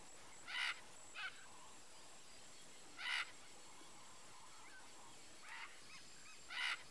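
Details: Wood stork (Mycteria americana) in the Brazilian Pantanal gives short, harsh, hissing croaks, five bursts spaced irregularly a second or two apart, over a steady background hiss.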